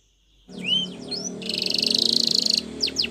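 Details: A canary sings a Spanish Timbrado-style training song: a few rising whistled slurs, then a fast, bright rattling trill of about a second, ending in quick high notes, over a faint low hum.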